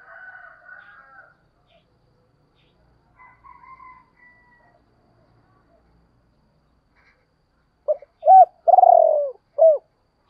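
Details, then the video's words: Spotted dove call used to provoke and lure wild doves. Faint, scratchy background notes come first. After a long quiet stretch, a quick run of loud coos: short arched notes around one long, rolling, falling coo. "tiếng chim cu gáy kích bổi và tập mồi hiệu quả, tiếng gáy gọi dục bổi rất xiêng gáy"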